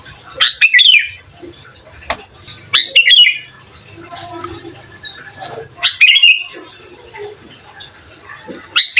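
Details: A sooty-headed bulbul in full voice, meant to provoke rival bulbuls, sings short liquid, chortling phrases spaced a few seconds apart, with faint murmuring and rustling noise in between.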